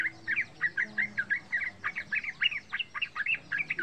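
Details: A young yellow-vented bulbul (Pycnonotus goiavier), about three months old, sings a lively run of bubbly, chirping notes, about four to five a second, rising and falling in a mid-high pitch.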